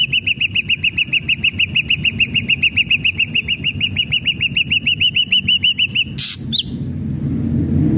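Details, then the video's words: Lively ashy drongo song meant to encourage captive drongos to sing: a rapid, even string of short, bright chipped notes, about three per second, for six seconds, then one rising whistle and quiet hum. "SRIGUNTING ABU ABU GACOR PALING CEPAT BIKIN SRIGUNTING BAHAN JADI GACOR"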